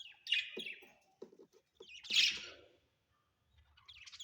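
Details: Pet budgerigars kept at home, giving short bright chirps and a louder harsh squawk burst around the middle, with scattered soft clicks and pauses between calls.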